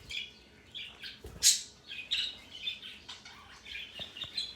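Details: A male parrot at home gives soft, scratchy twittering chirps broken by one sudden loud shriek early on.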